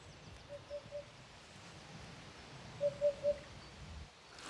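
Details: Eurasian hoopoe in the Marais poitevin marshes of France, the country's second-biggest wetland: two quiet series of three soft, hollow, low 'oop-oop-oop' notes about two seconds apart, over a calm, faint rural background.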